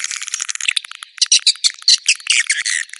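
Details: Swiftlets heard in connection with a swiftlet house, giving high, rattling, chattering twitters in uneven clusters, some notes sharper and more squeaky, with no low sounds beneath.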